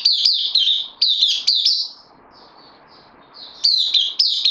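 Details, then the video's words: Caged white-eye on loan, dated 12 September 2020, with two bursts of rapid, shrill twittering separated by about two seconds of faint, thin high warbling. "Puteh Dagger new comer on loan"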